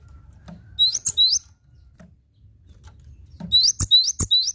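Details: Cinereous tit on a songbird training recording: two quick whistled phrases, a pause, then a faster run of four ringing rising phrases, with soft clicks and low hum beneath.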